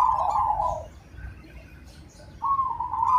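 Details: Zebra dove of the Majapahit strain, a prolific singer with a big voice: soft, low, rolling coos at the start and again near the end, with a quiet pause between them and no loud final burst.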